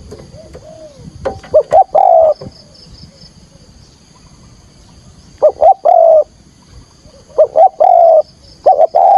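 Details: Spotted dove calling as bait for trapping wild doves, delivering repeated loud bursts of quick clipped notes ending in a long hoarse coo, separated by quieter gaps with faint distant cooing and a thin high hiss.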